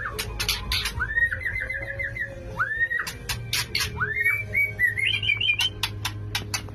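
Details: Male white-rumped shama in breeding condition courting a female: clear rising whistled phrases, each sliding up then wavering, mixed with sharp clicking snaps, over a low steady hum.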